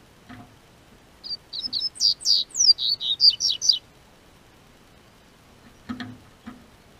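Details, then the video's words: In Brazil's South Region, a breeder's double-collared seedeater starts singing with the warming spring weather, giving a brisk series of high slurred whistles and chips for roughly two and a half seconds, followed by soft thumps. "O Tempo Esquentou, COLEIRO Cantou"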